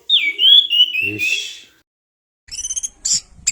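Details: Orange-headed thrush singing a vigorous tutor song meant to train other birds: a long, loud, wavering whistled phrase, then a short silence and a few high, scratchy, buzzy notes.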